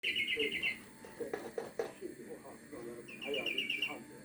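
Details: European greenfinch (flurya) song: two short bright rattling trills, one at the start and one near the end, with quieter low chattering and background murmur between them.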